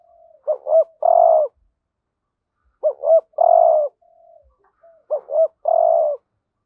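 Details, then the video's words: Decoy spotted dove calling to draw in wild doves, full urgent cooing sequence. Three phrases, each a faint lead-in note, a quick pair of looping coos and a drawn-out full coo, spaced roughly two seconds apart in a quiet setting. "Tiếng cu gáy mồi ĐỦ BÀI GỌI THÚC GÙ Giọng HẠP BỔI kích bổi nhanh nổi"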